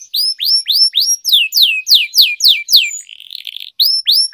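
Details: Canary song for singing training in Indonesia, kenari gacor: loud whistled falling swoops repeated about four per second, a short buzzy rattle, then more swoops.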